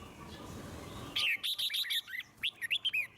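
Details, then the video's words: Red-whiskered bulbul, forest-voice song played to stimulate birds to sing; a second of low background hiss, then a rapid series of clear, bouncy whistled notes, some rising, some dropping. "Chim Chào Mào Hót Hay - Giọng Rừng Cực Đỉnh | Kích Thích Chim Hót Căng"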